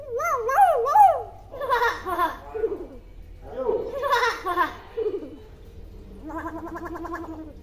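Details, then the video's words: Tame, talkative common hill myna with a clear voice, used as a master recording. It gives a quick run of varied speech-like syllables and laugh-like chatter, then ends with a lower, buzzy, wavering phrase. "Burung Beo Jinak Pintar Ngomong Suaranya Jelas"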